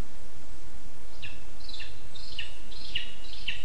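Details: Begging lesser spotted eagle chick at a nest in a spruce tree, Zemgale, Latvia, 20 August 2024. Four or five soft, high, falling squeals begin after a quiet second, partly blurred by steady background noise.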